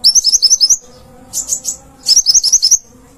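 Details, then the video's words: Cage-bird konin singing for a training recording: two quick runs of bright, high chirps at about four per second, separated by a softer, blurred burst of sound. "Materan burung konin gacor 1jam full"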